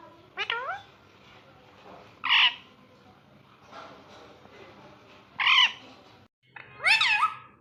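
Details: Pet ringneck parrot, described as talking and having fun, gives four short harmonic calls that sweep up then down, spaced irregularly a second or more apart, over a low steady background hum.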